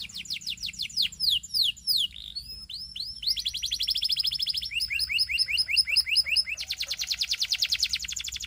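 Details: Belgian canary singing: a series of loud falling whistled sweeps, then a quick stuttering trill, rising into a long, very rapid, regular rolling trill of high notes.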